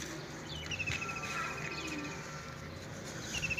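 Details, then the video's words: Birds singing in a village: a thin, high whistled trill of rapid repeated notes runs through the middle, with a second trill near the end over a steady rural background hum. "Birds Singing in a Village"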